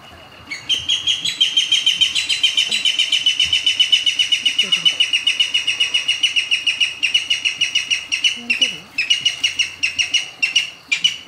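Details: Okinawa rail in the evening, 8 April 2013, giving a loud, harsh, rapidly repeated series of grating notes, about three or four a second, running without a break for ten seconds.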